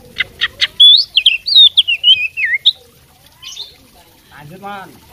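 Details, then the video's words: Oriental magpie-robin, a fighting bird showing its mimicry fill: a few sharp chips, then a fluid run of warbled whistles and quick slurs that stops abruptly, followed by quieter harsh squeaky sounds. "suara kacer petarung bongkar isian gacor full masteran"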